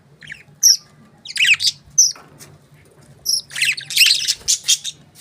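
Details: Budgerigars giving short sharp whistled chirps and rasping squawky bursts, irregularly spaced, ending in a dense run of chatter.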